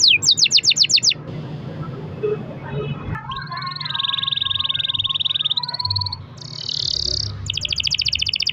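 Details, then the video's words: Vigorous long-roll canary song played as a lure for other canaries: a quick burst of high notes, a quiet murky pause, then long buzzy rolling trills shifting pitch, ending in fast repeated notes. "kenari gacor ROL PANJANG buat pancingan kenari agar bunyi jadikan burung kenari gacor"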